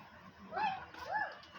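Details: Green parrot talking: two short, arched, harmonic mew-like notes, each rising then falling, about half a second apart, with faint background hiss.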